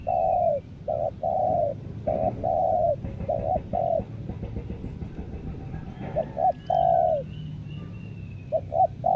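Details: Caged lure spotted dove, Lombok, cooing steadily: short paired notes alternating with longer level coos in quick succession, with a low rumbling background and a thin whistled call from another bird.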